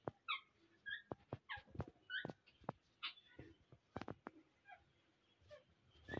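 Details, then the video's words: Kept parrots during winter, cared for against the cold, giving short harmonic squawks and chattering calls in quick irregular bursts, mixed with sharp clicks and knocks. "Winter Session men Parrots ko Sardi se bchaen"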